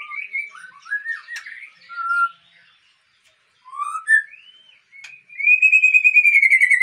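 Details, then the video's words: Breeding-stock white-rumped shama from the Aceh line: scattered whistled and slurred notes, a silent gap, then upward-swept whistles ending in a fast, even, loud trill. "Murai Aceh"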